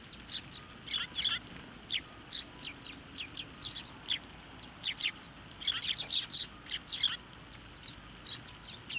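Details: Flock of sparrows fed by hand and on posts at a Tenmangu shrine, 24 November 2023: many overlapping, irregular high chirps and tweets throughout, sometimes doubled, from several birds at once.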